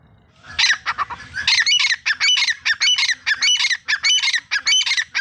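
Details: Grey francolin, male and female, giving loud, harsh, squawking calls in a fast rhythmic series. The bursts come roughly every third of a second after a brief, softer rustling start.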